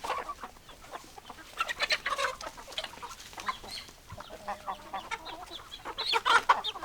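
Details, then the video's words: Chicken flock with hens clucking: busy overlapping short sharp clucks and chatter from several birds, bursts throughout, a louder squawky outburst near the end. "Chicken Sounds Noises Hens Clucking Roosters Crowing"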